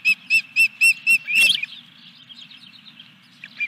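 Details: Osprey at the Dunrovin Ranch nest during a fish delivery, July 14, 2021: five evenly spaced, piercing whistled chirps, then a harsher rasping burst. Softer calls trail off over a low hum.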